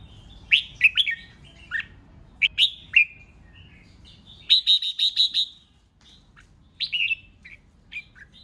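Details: Red-whiskered bulbul competitive 'ché' song aimed at rivals: varied bright warbled notes, then a rapid run of about six evenly spaced sharp notes, a brief silence, and further scattered whistled phrases.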